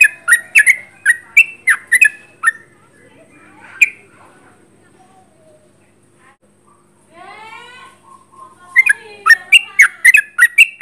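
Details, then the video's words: Sooty-headed bulbul singing at close range: bursts of bright chirpy notes repeated in quick series at the start and end, with a quiet gap and softer warbled phrases in the middle. "Trucuk gacor jarak dekat"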